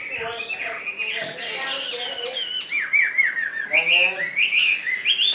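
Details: Caged Chinese hwamei singing indoors: loud varied whistled phrases with rapid slurred notes and harsh squawky bursts, sweeping up and down, growing stronger toward the end.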